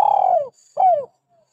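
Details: Lure recording of a lively spotted dove: the end of a long, rough, falling coo, a short pause, then a clear downward-curving coo that closes the phrase.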